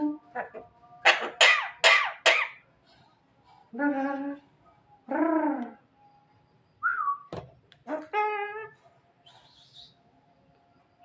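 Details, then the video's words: Asian pied starling, a talking bird able to imitate a person coughing, giving loud harsh raspy bursts, nasal harmonic calls and a few short whistles, in irregular phrases with pauses, in a small room. "suara burung jalak kebo yang lucu dan bisa menirukan suara orang batuk"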